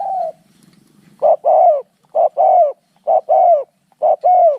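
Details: A spotted dove coo fades out, then four crisp pairs follow during a fight, each a short note and a longer falling note, about one pair per second.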